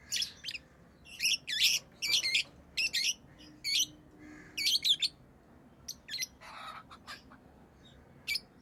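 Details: Caged pet lovebirds in lively chirping, rapid high squeaky notes packed in dense clusters for the first five seconds, then sparser single chirps and a brief rasping squawk, with a faint hum behind.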